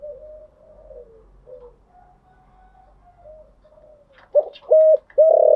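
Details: Spotted dove cooing in the early morning, a cage bird: quiet, soft, level coos at first, then three loud, full, hollow coos in quick succession near the end.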